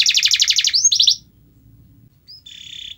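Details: Canary singing, intended to stimulate a reluctant canary: a fast high rolling trill with a rising whistled slur, a short silence, then a soft flat buzzy note.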